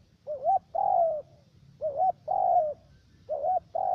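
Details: Spotted dove decoy calling loudly during trapping in U Minh, Cà Mau, Vietnam. Three closely spaced phrases, about one each second, each a warbled short coo and a longer coo trailing downward.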